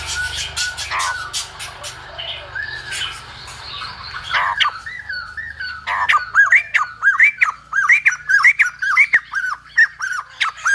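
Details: A silver-headed babbler, its singing compared to a lumba dancer, starts amid a muddle of mixed chatter and low rumbling, then settles into a clear series of bouncing, arched notes delivered in quick succession.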